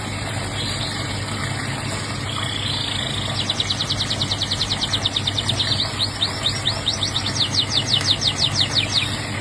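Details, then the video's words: Canary singing over a steady low engine-like hum: after a few soft notes, a long fast trill of high, sharply repeated descending notes runs for about six seconds, changing speed partway through. "TOLE si burung kenari"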